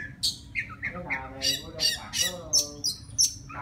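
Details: Forest Oriental magpie-robin calling a female with song: short harsh, squawky notes mixed with bright whistled pips, given in quick bursts roughly every third of a second.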